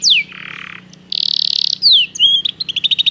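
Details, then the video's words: Belgian canary song used for canary training: a steep descending whistle, a low harsh buzz, a bright rattling trill, then swooping slurs and a quick run of clipped repeated notes. "O canto do canário belga"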